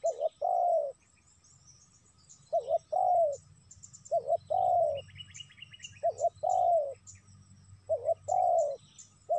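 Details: Repeated spotted dove calls used to lure wild doves, about five phrases of two short notes and one long descending coo, with a brief buzzy trill and faint chirping of small birds in the background.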